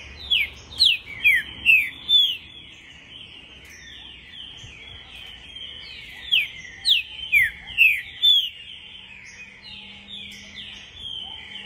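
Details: A green-winged saltator (Saltator similis) of the 'pampo' song type sings loud, rich whistled phrases of about five quick notes, repeated twice with a pause between, over faint background hiss.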